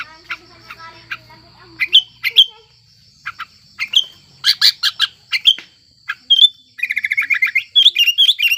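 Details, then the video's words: Sooty-headed bulbul in breeding condition, used as a lure for birds that stay silent: spaced whistled and clipped notes, louder chirp clusters, then a fast rattling trill and bright slurred whistles at the close. "Suara Burung Kutilang Gacor Birahi Ampuh Untuk Pancingan Kutilang Malas Bunyi"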